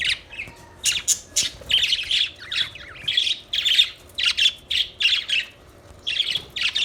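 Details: Budgerigar chirping: a steady series of short, scratchy, buzzy chirps and squawks, roughly two or three each second, with brief sharp whistled notes early on and quiet gaps between phrases.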